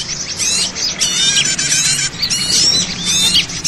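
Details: Lure recording for catching small birds, packed with overlapping high chirps and short sweeping whistles in bursts about every second, over a faint low hum.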